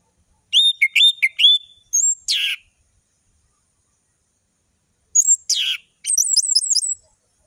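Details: Energetic gacor song of an Orange-headed thrush with rich variation, played to teach young birds. Rapid clipped notes give way to a high sweeping whistle and a harsh buzzy burst. After a pause, a similar sequence ends in a quick high chattering series.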